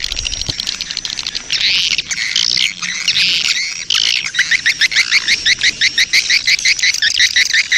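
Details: Swiftlets, breeding-colony lure ('koloni birahi') for attracting them; a dense buzzy chorus of high twitters that gives way to a quick, regular run of clipped chirps in the second half.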